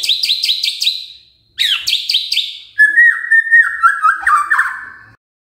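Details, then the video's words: Lure recording of a singing murai magpie-robin: two quick bursts of five rapid, clipped high notes, followed by a long mellow warble of wavering whistles. "Pancingan Murai Gacor"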